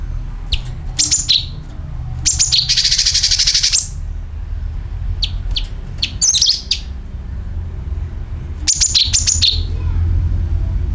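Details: Sooty-headed bulbul call used as a lure to attract birds, with a dragging sound: sharp high chirps in quick clusters, each dropping from a bright upper note to a lower one, mixed with a long harsh hiss and low background hum.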